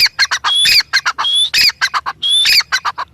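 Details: Teetar, the grey francolin, giving a steady burst of loud, grating notes mixed with high, slightly rising whistles, repeated about once a second.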